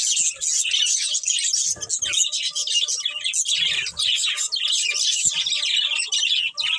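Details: Two budgerigars, a breeding pair, keep up a lively warbling chatter of rapid high chirps, trills and squeaks, with a few soft low bumps in the background.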